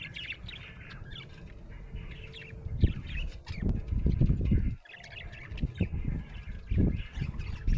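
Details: Happy budgerigar chattering with soft scratchy chirps and warbles, interrupted by heavy low thumping and a short quiet pause midway.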